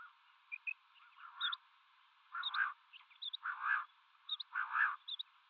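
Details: Common quail, male and female calling: four swelling, rasping bursts about every 1.1 seconds, separated by soft high double chirps.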